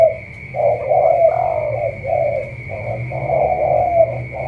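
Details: Cà Mau spotted dove in the tú style: low coo phrases, each a short note swelling into longer, slightly rough notes, with brief gaps, over a constant thin high tone and low hum.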